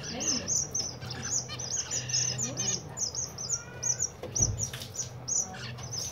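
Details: Zebra finches in the winter season chatter with quick, nasal, high chirps in overlapping runs, a few drawn-out wavering notes, and a soft knock near the end over a faint hum.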